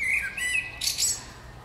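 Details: A brief, loud spring bird phrase with a clear whistled note, a slurred warble and a harsh, high buzzy ending.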